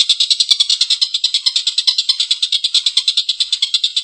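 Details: Rough laughing call of a collared kingfisher, long and loud: grating, pulsed notes hammered out in quick succession, forming a dense chattering rattle.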